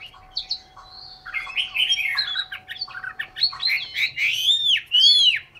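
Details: Hanoi, Vietnam: a caged Chinese hwamei sings a building medley of warbled and whistled phrases that grows louder, finishing with strong arching whistles; faint steady hum in the background.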